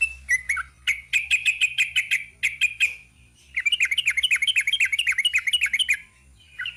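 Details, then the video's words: Rapid "ropel panjang" song of a sooty-headed bulbul, with sharp repeated chirps followed by a long, very fast rattling series of bubbly notes, then quiet. "Kicau TRUCUK ROPEL PANJANG"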